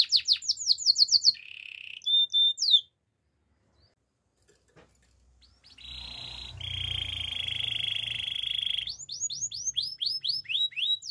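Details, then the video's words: Training canary singing: quick descending sweeps, a short low trill and high tones, a near-silent pause, then a long buzzy rolling trill and more falling sweeps. "Bird sounds canary chirping | The best canary training"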